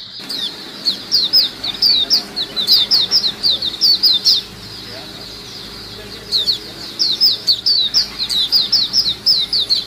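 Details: Lively white-eye group chorus meant as a lure: runs of quick, high, slurred chirps in energetic bursts, a quieter pause of a couple of seconds, then another sustained stretch of shrill twittering.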